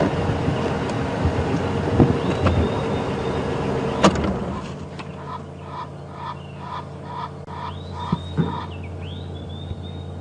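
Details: At sunrise on April 19, 2015, in the African bush, an Egyptian goose standing on a nest, likely a Wahlberg's eagle nest it is using, alarm-calls: a fast run of harsh nasal honks, about two a second, after vehicle engine rumble; thin whistles follow. Egyptian goose.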